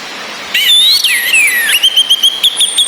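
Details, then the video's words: Female orange-headed thrush calling ngecis against background rain, played to spur males that merely twitter into full song: a rising then falling slurred whistle, then a run of quick clipped notes on one pitch. "ANIS MERAH BETINA NGECIS‼️ COCOK UNTUK NAIKAN BIRAHI BURUNG YANG MENTOK DI NGRIWIK SAJA"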